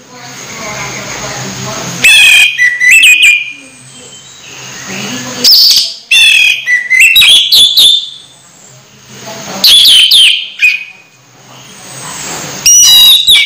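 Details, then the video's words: Song of an Orange-headed thrush nearing its moult but still in full voice, rich rising and falling whistled phrases with sharp clicks, delivered in four loud bursts separated by quiet gaps with a low hum. "Anis merah hampir mabung masih gacor"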